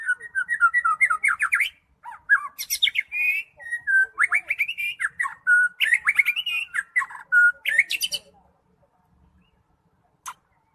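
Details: Continuous energetic song of a white-rumped shama, Medan type: about eight seconds of rapid varied whistles, rattling trills and sharp chips in quick succession, ending abruptly, with one late click.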